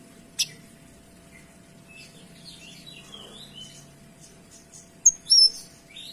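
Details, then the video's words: Kinoy singing for tutoring: a loud single chip, soft high warbling whistles in the middle, then two bright, loud, high twittering phrases at the end. "Suara Kinoy Gacor Tembakan Rapat dan Jernih"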